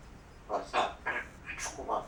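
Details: Pet grey parrot indoors, talking as part of its repertoire: five short, speech-like syllables in quick succession over about a second and a half, voiced and word-like, against a steady room hiss.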